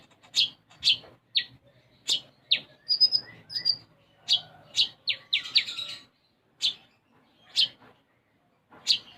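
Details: Energetic konin, or brown-throated sunbird, song with sparrow-style notes. Strong chirps fall roughly every half second, with a short high whistle and a dense cluster of rapid chips midway, then sparse chirps.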